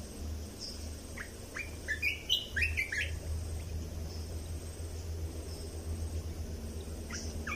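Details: Red-whiskered bulbul song played to teach young birds and excite birds: a short cluster of lively whistled notes between one and three seconds, followed by a long stretch of low rumbling hum.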